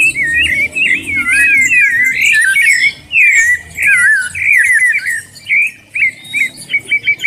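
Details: Sabiá (thrush) warming up, pouring out rich, looping whistled phrases that twist up and down, ending in a few short clipped notes, against a faint low background rumble.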